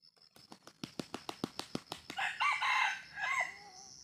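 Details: Wild junglefowl of the 'jalak' type: a run of about a dozen sharp wing claps, then a hoarse, broken two-part crow with a short trailing note, over a steady high insect drone.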